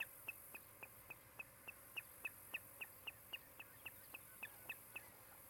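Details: Nest-camera recording of an osprey pair's nest at Charlo, Montana, July 16, 2018, mid-afternoon: a steady, rapid series of about twenty clipped, high chirps, roughly four per second, evenly spaced and similar in pitch, with soft hiss behind.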